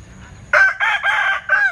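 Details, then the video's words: A Linh Kê chicken with a strange-sounding crow starts abruptly after a short quiet moment, giving rough, segmented crowing that is cut off mid-phrase. "Tiếng Gáy Độc Lạ. Gà Linh Kê/ Strange Crow Sound"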